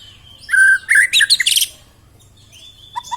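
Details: White-rumped shama singing a varied, busy phrase: a steady whistle, then a burst of sharp chirps and rapid trills, followed by a thin rising whistle and two short low notes; used to prompt lazy shamas to sing.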